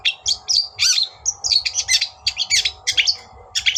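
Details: Excitable chattering song of a long-tailed shrike, played to provoke a rival: quick harsh chirps and squeaky notes about four per second, with a faint steady low hum underneath.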